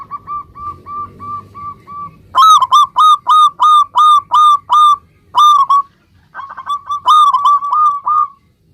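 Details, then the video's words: Local zebra dove singing vigorously, the song meant to make other zebra doves answer at once. A soft, even string of rapid coos gives way to a loud run of about ten ringing notes, then shorter loud bursts. "suara perkutut lokal gacor ini ampuh menjadikan agar burung perkutut gacor nyaut seketika"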